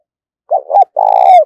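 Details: Spotted dove used as a decoy, calling to draw in wild doves: a brief pair of bubbling coos followed by a sustained, even coo lasting about half a second. No other sounds.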